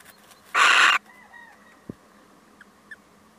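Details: One coarse, hissing screech from a visiting male little owl, about half a second long, followed by quiet faint tonal traces and a soft knock.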